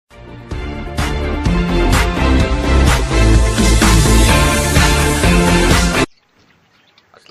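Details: Loud rhythmic pop music with heavy bass and a steady beat fills the first six seconds. It then cuts to near silence, and no animal sound can be picked out.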